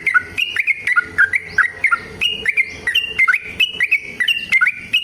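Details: Yellow-vented bulbul delivering a combative, extended song meant to spur caged birds into singing: short liquid whistles alternate between higher and lower notes in a regular, bouncing rhythm, with dry clicks between them.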